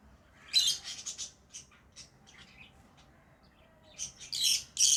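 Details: Pet lovebirds chirping: a quick stuttering run of harsh high chirps, scattered softer twitters, then a closing burst of loud shrill squawky chirps.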